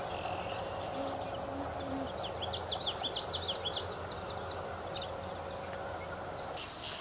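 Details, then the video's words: Tree swallow (Tachycineta bicolor) in Ontario, Canada, on 25 September 2017: a run of high, rapid twittering chirps in a burst lasting about a second and a half, with a steady low hum and a few scattered other chirps. "Tree Swallow bird - Hirondelle bicolore oiseau"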